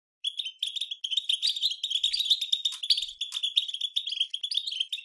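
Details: Song of a European goldfinch, meant to excite other goldfinches into singing; fast liquid twitters and chirps pour out nonstop in a bright, jangling stream with short buzzy notes mixed in.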